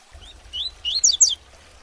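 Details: Double-collared seedeater bred in captivity, singing the tuitui song to train young birds: a couple of softer rising whistles, then a brief cluster of bright, high sweeping notes, with low background hum.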